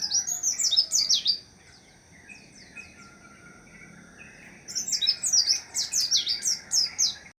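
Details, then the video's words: White-eye, known locally as pleci monty, singing high, fast twittering phrases of sharp zigzag notes; a first burst of about a second, a pause with faint distant chirps, then a longer lively burst of rapid notes. "Suara burung pleci Monty"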